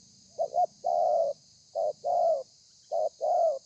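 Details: Spotted dove delivering thổ pha style coos, 30 November 2020: three phrases, each a brief stuttered note leading into a longer hollow coo, about one phrase every 1.3 seconds, steady hiss underneath.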